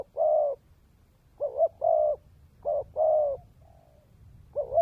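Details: Spotted dove used as a decoy bird, cooing in low hollow notes: a single coo, then repeated phrases of a short note followed by a longer one, with a faint trailing note.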